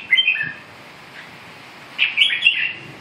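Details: Red-whiskered bulbul with a short warbled phrase at the start, a long pause, then a louder trilling burst of bright chirped notes.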